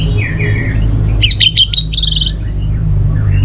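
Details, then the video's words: Soft, faint warbling leads into a short burst of four or five loud, crisp clicking chirps from an orange-headed thrush in North Bali, then quieter notes fade out over a steady low hum. "Suara ANIS MERAH"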